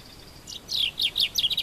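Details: Part of a common chaffinch song phrase from Morocco: a few high, sweeping downslurred notes followed by quick, repeated chirps, clear against faint background hiss.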